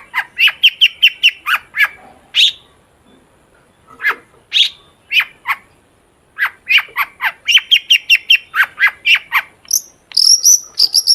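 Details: Long-tailed shrike, played as a lure so shrikes will sing, pouring out rapid runs of repeated sharp chirps, a few drawn-out harsh notes, and high thin whistles near the end.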